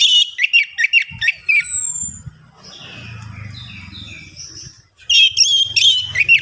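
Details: Orange-headed thrush singing as a lure to trigger song: quick, varied chirping phrases open and close the passage, while a middle stretch is filled with softer warbling and low rumbling background noise.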